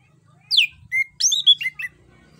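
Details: Orange-headed thrush, Anis Kembang, singing as a lure for a bird that will not sing: a steep falling whistle, a short flat note, then a fast varied chain of warbled, looping whistles over faint low hum.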